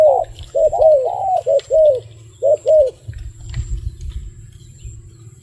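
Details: Wild dove gives a burst of paired coos over the first three seconds, then falls silent, leaving low rumble, faint rustling and a thin high whine.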